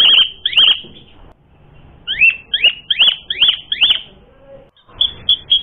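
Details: Asian pied starling lure song to incite fighting: two loud sharp notes, a pause, then five emphatic descending calls in a row, followed by quick bright chirps.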